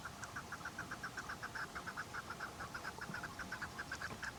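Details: Chukar partridge calling: a steady series of short, clipped notes repeated about ten times a second throughout, each with faint higher overtones, over a low background hiss.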